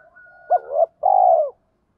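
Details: Spotted dove cooing in the thổ-pha-đồng style, meant to provoke decoy doves. A soft lead-in is followed by a hooked note swelling into a drawn coo, then one long, full, low coo.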